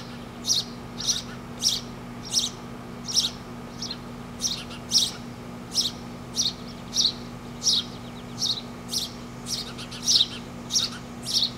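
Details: Four nestlings in a front-yard tree begging while their parents feed them: short, high, scratchy chirps in quick bursts, roughly one or two per second, over a steady low hum.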